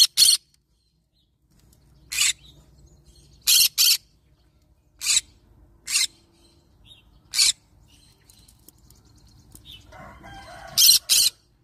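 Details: Yellow-sided green-cheeked conure parrot calling with loud, rasping, broadband screeches, about nine brief bursts, some paired, spaced irregularly one to three seconds apart over a quiet indoor background.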